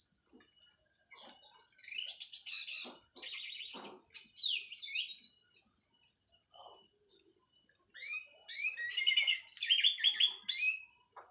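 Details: Moult-finished Orange-headed thrush of local Cililin stock, 'plong' and 'teler' song: dense buzzy high trills in bursts, a quiet gap mid-way, then rapid varied chattering phrases returning strongly.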